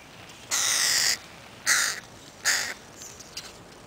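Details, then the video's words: Begging crow chicks staying close to their mother in Helsinki, Finland, 20 July 2011: one long drawn-out harsh caw followed by two shorter rasping calls, then faint distant calls. "Crow Chicks won´t leave their mum"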